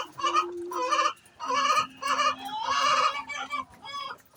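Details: Hen calling before laying eggs: loud, harsh, nasal clucks in uneven bursts, a few rising squawks, with short pauses between bouts and a steady low hum underneath.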